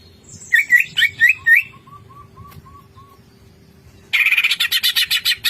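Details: Greater green leafbird showing off its repertoire of learned phrases: rising chirps, then a soft series of short whistled notes, and finally a loud buzzy rattling burst of rapid notes.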